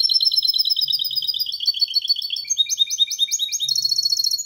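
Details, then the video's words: Goldfinch × canary hybrid delivering error-free song to encourage males and train young: steady high trilled phrases shifting into faster, piercing repeated twitters, with a faint low hum underneath. "Mixto de Jilguero Cantando Limpio 2022 para Estimular"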